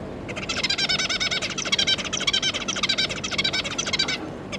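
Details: Zebra finch pair and their three juvenile babies, June 2022: steady, rapid stream of nasal, wavering harmonic calls, several per second, pulsing in loudness for about four seconds, with faint hum underneath.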